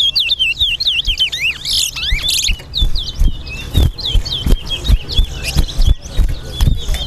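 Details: Towa towa singing in an east-side versus west-side bird competition: clear whistled notes in rising and falling slurs, repeated rapidly, with thumps, clicks and crowd noise underneath.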